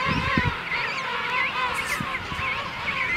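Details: King penguins in a breeding colony at St Andrews Bay, South Georgia Island: a dense chorus of many overlapping, wavering, trumpet-like calls that rise and fall continuously, with no single bird standing out.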